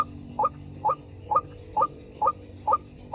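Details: White-breasted waterhen sound used to lure the birds, recorded in the afternoon: short, sharp, clipped notes repeated steadily about twice a second, over a low constant background hum.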